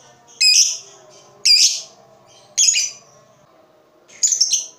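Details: Four loud, rasping, high-pitched lovebird chirps about a second apart, the last one broken into a rapid stutter, from a recording used to prompt quiet lovebirds to start singing.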